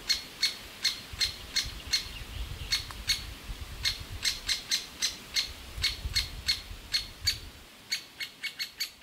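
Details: Great spotted woodpecker nestlings calling nonstop for food from their cavity in a big old aspen while both parents bring food: a steady run of about two dozen short, harsh, high chips over nine seconds, with faint low rumble beneath.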